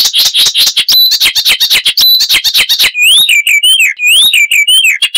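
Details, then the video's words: Icterine warbler song, described as loud, chattering and rich in variation with mimicry of wild birds: fast runs of sharp repeated notes, then looping whistled slurs rising and falling, very high and dense. "Icterine Warbler (Hippolais icterina)"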